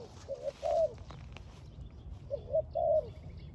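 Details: Spotted dove near a trap, calling two short cooing phrases, each a soft double note and then a longer, rough, drawn-out coo, with a pause between the phrases. Faint chirps from other birds and low background rumble.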